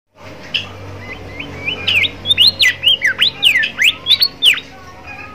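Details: Bimoli song played as a training recording for young birds learning to sing: a lively series of sharp whistled notes, many sliding up or down, given about every third of a second over a low steady hum.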